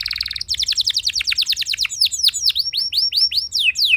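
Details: Singing canary used to trigger song in other canaries: a buzzy rattle gives way to a rapid trill of sharp repeated notes, then slower clear down-slurred whistles repeated about three times per second.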